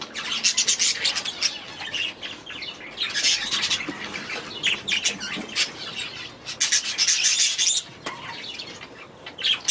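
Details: Several budgerigars in their aviary keep up a lively, scratchy chatter of squawks, chirps and warbled phrases, rising into dense bursts and easing off between them, with a sharp click near the end.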